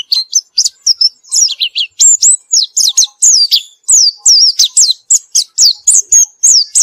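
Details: After therapy, a white-eye sings continuously, pouring out a fast stream of high, sharp down-slurred whistles and chips, almost without pause, each note bright and piercing.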